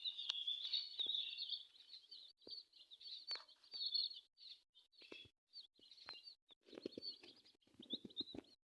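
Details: Colourful chicken chicks giving a chorus of high, thin peeps, fast and irregular with overlapping calls, interrupted by short gaps, sharp clicks and knocks, and low rustling in the last seconds.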